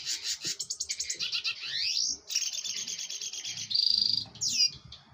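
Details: Northern Cardinal song: a rapid run of sharp chips, then several clear, slurred whistles falling steeply in pitch, with thin high twittering throughout.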